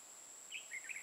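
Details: Decoy red-whiskered bulbul kept for trapping wild birds in Hoa Binh, Vietnam, giving a brief three-note warbled phrase, the notes dipping then rising slightly; a constant thin high whine runs throughout.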